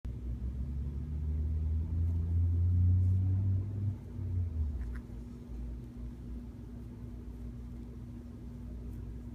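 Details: A low engine-like rumble swells and fades over a steady indoor hum, with no animal voice.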